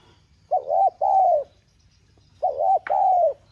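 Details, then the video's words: Spotted dove, 'giọng son' voice, urging call used to stimulate other doves: two phrases, a wavering double coo and a longer falling coo, the second phrase with a brief click. "Tiếng Cu Gáy GỌI THÚC Giọng SON"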